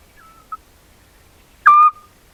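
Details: Eurasian scops owl (Otus scops) in spring farmland at Corte Franca, recorded by a camera trap at a tree cavity, singing a short, pure, mid-pitched whistled 'tyuu', loud and steady, after a fainter earlier note; a migrant arriving March/April.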